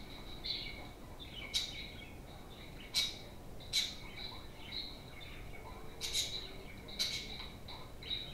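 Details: Pet budgerigars chirp playfully indoors, with about seven piercing chirps scattered irregularly over a steady background of soft, bubbling warble.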